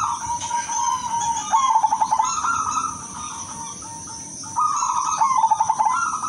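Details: Female zebra dove of the silver variety calling to attract males: low, mellow cooing phrases that break into rapid staccato trills, two bursts about three seconds apart, over a constant thin high-pitched whine in the background.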